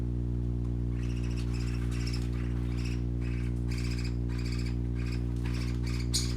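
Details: Colorful parakeet babies playing give a rhythmic run of soft, raspy chirps, roughly four each second, partly masked by a loud, steady low hum.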